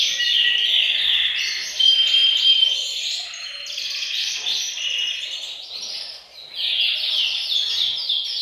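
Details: Caged canaries in a bird room singing as a chorus to stimulate males; loud rolling trills and chattering phrases, a short dip in loudness midway, then the rapid high warbling resumes.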